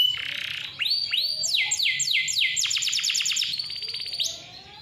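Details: Singing canary recorded as a lure for young or reluctant canaries: rising slurred whistles, then quick descending strokes that speed into a rattling trill before fading.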